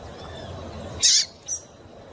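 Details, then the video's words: Female double-collared seedeater calling to stimulate males: two short, harsh, buzzy notes, a louder one near one second and a fainter, briefer one half a second later, over a low background hum. "fêmea de coleiro quente para esquentar coleiro"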